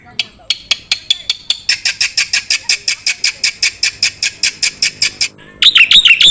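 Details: Songbird training recording of a black-winged starling: a long steady series of dry, rapid clicking notes, several per second, ending in a brief loud burst of warbled whistles.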